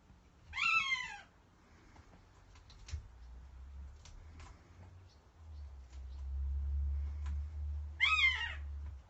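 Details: An imprinted female American goshawk in a breeding chamber gives two harsh, descending wailing cries about seven seconds apart, over a low rumbling background and faint clicks.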